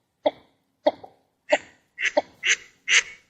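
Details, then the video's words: Northern shoveler giving seven short, hoarse nasal notes about every half second, growing harsher and breathier toward the end, recorded in its natural wetland habitat; no other sounds. "Original Sound of a Northern Shoveler Duck"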